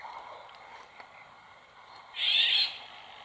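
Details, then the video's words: Near a pond in the wild, a female Eurasian golden oriole utters a single rough, nasal screech lasting about half a second, preceded by faint background bird notes. "LORIOT d'EUROPE, cris"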